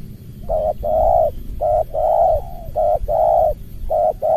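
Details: Spotted dove lure bird meeting an opponent, in the dense 'rapat ngeruk' voice; loud steady coos alternate short and long notes in a quick, even rhythm of about four phrases, over a low hum.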